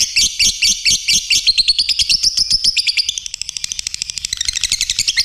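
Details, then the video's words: Lovebird singing persistently: spaced squeaky chirps run into a rising, fast buzzy trill, then a softer, quicker twittering chatter to the end. "Khicoan Burung Lovebirt Gacor"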